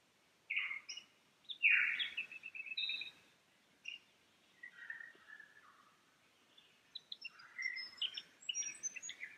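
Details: A lyrebird on a Sunday morning in the Cathedral Ranges, below Farmyard campsite near streams, runs through varied bright whistles, slurred notes and rapid chattering phrases, changing every second or so with quiet gaps; shutter-like notes are traditional 'Song A', not camera mimicry.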